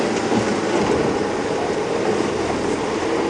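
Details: Steady, dense rumbling and rattling of a vehicle on a morning safari drive at Djuma Game Reserve, with no animal calls heard.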